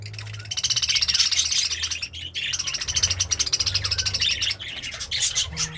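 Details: Happy pet budgerigar eating greens, chattering in a fast continuous warble of buzzy, rattling high notes that runs for several seconds, briefly breaks, then resumes, over a low background hum.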